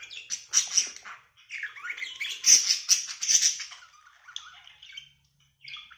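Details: A budgerigar warbles a fast, scratchy run of chirps, clicks and squeaky notes, used to stimulate breeding and mating.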